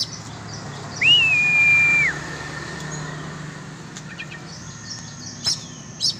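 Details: A single long, clear whistle that rises, holds level, then drops comes from an oriental magpie-robin during a sport free-flying session, followed by a few faint high notes and two short sharp calls.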